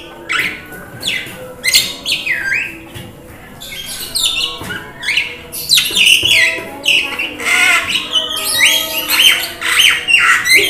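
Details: Javan myna masteran song for training caged birds to sing and talk. A dense, varied chatter of whistles, squeaks and harsh notes, many sliding down in pitch, runs with short pauses and grows busier toward the end.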